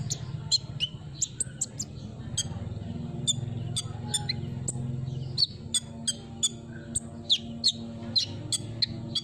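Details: Olive-backed sunbird lure song, a lively run of sharp, very high chirps and short twitters, coming faster toward the end, with low background hum.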